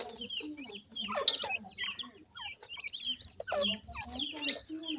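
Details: Grey francolin chicks during termite feeding: clusters of quick high chirps separated by short pauses, with occasional loud clicks and a low hum.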